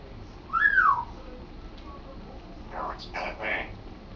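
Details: Pet African grey parrot practising words indoors; one loud arched whistle rising then falling, followed after a pause by three soft speech-like syllables.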